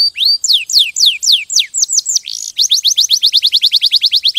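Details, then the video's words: Canary song opening with loud, slow, descending whistled slurs, a short sustained note, then an even rapid series of short high chirps about six per second. "غناء كناري روعة Nyanyian burung kenari itu luar biasa"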